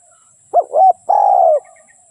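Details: Decoy spotted dove kept for luring wild doves into traps, giving one cooing phrase: two quick husky rising notes, then a longer even coo that fades downward.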